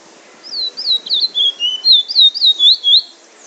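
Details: Bullfinch in Trinidad singing its drawl and wheet drawl song: a run of about a dozen clear, slurred whistles, each dipping and rising, delivered roughly four per second over a faint low background hum.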